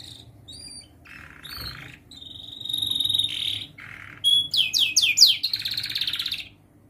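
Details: Young canary in training, song used as a tutor for young birds learning to sing: high whistled notes, a long steady whistle, buzzy rattles, then a fast series of steep descending sweeps repeated about five times per second.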